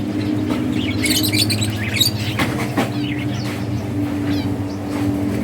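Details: Budgerigars in a breeding colony, playing and chirping: bursts of high, scratchy warbled chirps and squeaks, densest in the first two seconds, then scattered, over a steady low mechanical hum and a few soft thumps.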